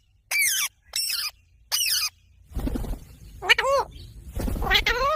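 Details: Parrot giving loud squawking calls: three separate rasping, wavering squawks, then noisier handling sounds and two more harsh, bending calls.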